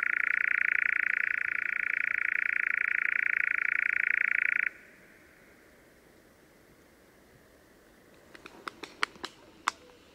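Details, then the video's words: Eurasian Nightjar recorded in spring in southern Sweden: a continuous, even mechanical churr held for nearly five seconds, then it stops, followed after a pause by a short run of sharp claps. "Eurasian Nightjar Call & Sounds"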